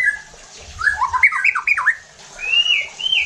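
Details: White-rumped shama song played to provoke other shamas: a rapid jumble of harsh, sliding notes followed by two long clear rising whistles.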